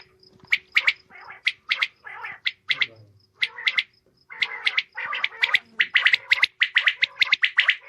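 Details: Female common quail producing dense, rattling series of rough notes that quicken and pile up toward the end, over a low steady hum.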